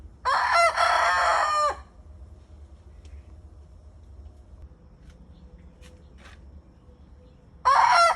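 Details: Rooster crowing: one loud harsh drawn-out crow of about a second and a half, then a quiet stretch with faint clicks, and a second crow beginning at the end.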